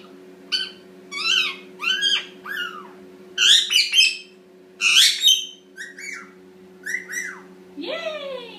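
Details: Eight-month-old Indian ringneck parakeet making cute noises in the shower, kept as a pet: rapid series of bright, harmonic squawks and chirps about every half second, ending in a rising upswept call, with running water droning underneath.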